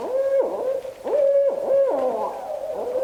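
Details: Barred Owl calling live with a juvenile among them: a dense series of nasal, wavering notes, each holding a steady tone then sliding down in a slurred drop, overlapping and repeated about twice a second, with faint static.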